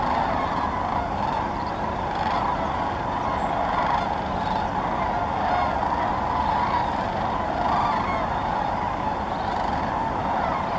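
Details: In Indiana's Muscatatuck National Wildlife Refuge, sandhill cranes assembling in large flocks call together in a steady, crowded chorus of rattling trumpet notes, swelling slightly in places, with several crisper single calls audible throughout.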